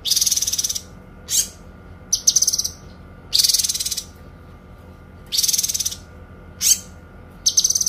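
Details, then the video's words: Kinoi songbird in a recording used to train other songbirds, its long song phrases described as clear: high, dense rattling trills lasting about a second, alternating with shorter bursts of ringing whistled notes, with quiet gaps between. "TEMBAKAN PANJANG, SUARA JERNIH BURUNG KINOI"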